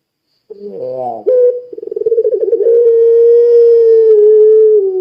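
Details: Puter pelung cooing to encourage other doves to join in; a short rising harmonic note, then a fluttering pulsed roll that smooths into a long, level low coo.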